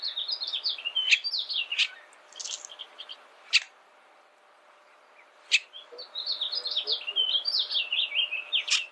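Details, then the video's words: Bullock's oriole song: rapid strings of clipped, slurred whistled notes that open and close the stretch around a quiet gap broken by a few sharp clicks. "Bullock's Oriole Bird Sound, Bird Song, Bird Call"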